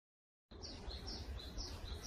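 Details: Japanese tit singing as a morning greeting in a forest: a clear two-note whistle alternating high and slightly lower, repeated steadily about every half second, over low background rumble.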